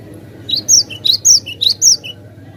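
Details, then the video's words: Cinereous tit singing clearly, the recording used as a tutor for other birds: three phrases, each a rising high whistle, a louder sliding whistle and a short lower note, repeated about every half second over a soft low hum. "Masteran Glatik batu gacor suara jernih durasi panjang"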